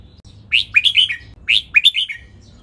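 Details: Red-whiskered bulbul in its doubled song style, recorded to train birds. Two lively phrases of quick, rising and falling whistled notes, about a second apart, over a quiet background.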